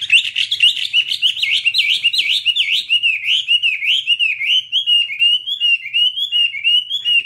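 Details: Garrulax canorus, the Chinese hwamei, in full song: a continuous stream of bright, fast whistled notes zigzagging up and down in V-shaped slurs, clear against a quiet background.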